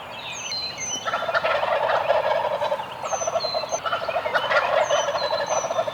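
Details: Several Eastern wild turkeys gobbling from the roost in the morning: dense rapid rattling gobbles rolling over one another from about one second on, with songbirds whistling high descending notes throughout.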